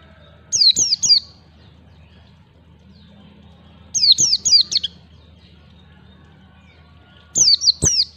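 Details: High, rapid down-slurred chirps from a white-eye, grouped in threes or fours and repeated about every three seconds with crisp clicks, in the ngalas style used to train young birds to sing.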